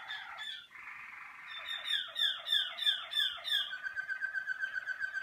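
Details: A Waterslager (Malinois) canary, early in the season and warming up in its first sessions in the song cabinet, sings a continuous rolling song: a sustained warble breaking into bubbling, water-like notes about three a second, ending in a rapid, even trill.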